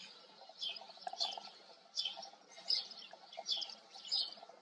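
A White wagtail gives sharp, high two-part chirps, repeated roughly every half to one second, over a faint low background hum.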